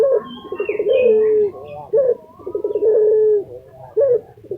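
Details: Lutino Barbary dove, a kept bird popular in Indonesia, gives repeated cooing phrases: rolling pulsed coos ending in a long level note, about every two seconds, with short bright coos between and faint other bird chirps.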